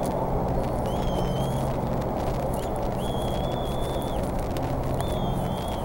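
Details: Young bald eagles in the Decorah nest, around 3 pm on 4 May 2014, call as they wait for the adult to feed them duck. Long, thin whistled notes repeat about every two seconds over a strong low hum.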